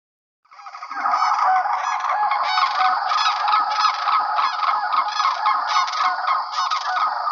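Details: Many greater Sandhill Cranes in the Yampa Valley wetlands of northwest Colorado, where they arrive in March to nest, bugle together in a loud, rolling, trumpet-like chorus of rattling calls that overlap without pause. The call carries up to two miles.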